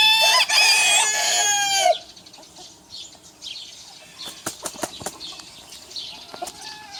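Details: A troublemaker rooster crowing in a challenge between a small and a big rooster: a strong, rich crow of nearly two seconds that ends abruptly, then quiet clucks, taps and soft background chatter.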